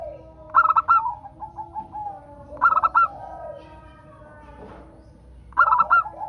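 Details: A local zebra dove sings to encourage other doves to sing: three phrases of rapid, ringing coo notes, separated by softer lower notes and faint background noise.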